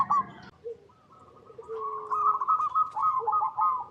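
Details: Local zebra dove (perkutut) singing in natural habitat: a long rolling coo of rapid pulsed notes holding one pitch, with shorter lower hoots from another bird in the background.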